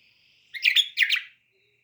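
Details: Bulbul, a pet bird kept in a quiet alley setting, giving two short bursts of bright chirping notes, each a quick cluster of slurred whistled syllables, against an otherwise silent background.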